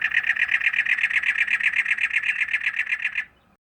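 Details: A desert-dwelling Cactus Wren gives a harsh, grating, chugging series of about four notes per second, like an old car failing to start, for just over three seconds.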